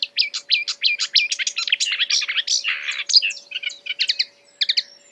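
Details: Marsh warbler imitating other birds: rapid, varied chattering song of short whistled and buzzy notes, quickly switching phrases, including a harsh rasping burst near the middle and clipped double notes toward the end.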